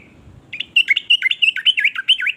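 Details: Yellow-vented bulbul singing an assortment of phrases meant to make others sing along. After a soft start, a fast two-second string of bright, bubbly, swooping notes follows.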